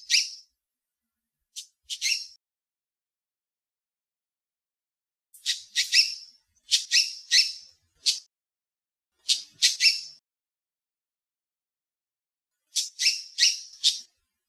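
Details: Yellow-tufted honeyeater at Bomaderry Creek Regional Park, Shoalhaven, giving sharp, high, slightly harsh notes in quick bursts of two to four, separated by short pauses; no other sounds.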